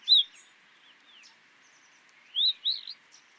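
Streaked rosefinch song: a loud, sweet whistled note, a pause, then two more slurred whistles, rising and falling, over a steady hiss.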